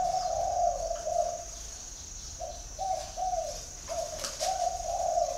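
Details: Spotted dove in Ba Vì, Hanoi, Vietnam, giving a run of rounded coos, a pause of about a second, then another series of linked coos; a faint continuous high tone sits behind.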